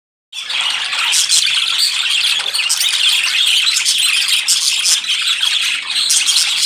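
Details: Pet budgerigars, recorded 26 June 2020, chatter nonstop with high, scratchy warbles, chirps and squawks.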